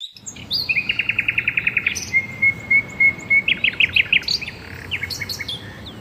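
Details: Garden birds singing among grass: a fast, even trill of about fifteen bright notes, then a thin sustained whistle broken into pulses, followed by scattered high chirps from several birds.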